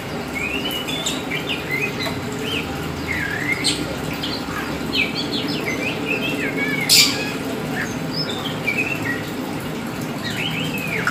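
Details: Kacer hitam, black Oriental magpie-robin kept by hobbyists, in long lively song: strings of loud slurred whistles, quick rising notes and chattering fragments, one sharp knock midway, over a faint constant hum.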